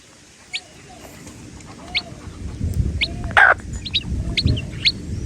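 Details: Chicks peeping: isolated high, sharp peeps about once a second over a low rumbling background, with one brief louder scratchy sound near the middle.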